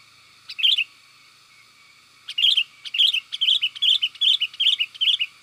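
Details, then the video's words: Lure recording of a sooty-headed bulbul meant to draw in and excite wild birds: one short chirp, a pause, then a lively run of repeated warbling notes, roughly two or three per second. "SUARA PIKAT BURUNG KUTILANG GACOR"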